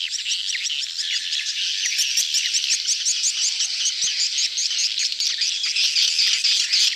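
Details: Swiftlet gathering in mating mood, called betompok; an unbroken shrill chatter of quick repeated chirps and trills, with clearer whistled notes emerging toward the end.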